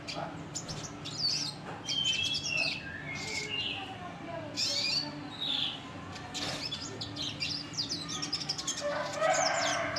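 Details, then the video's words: A red siskin sings a classic rough twittering song of fast chirps and buzzy trills, high-pitched and broken into short bursts, over a low steady hum. "Red Siskin Klasik Ngeriwik Kasar"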